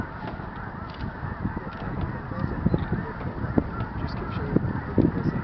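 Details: A dense chorus of snow geese at Bosque del Apache on 11 November 2011: many overlapping nasal honks and yelps, with a few louder calls standing out every second or so.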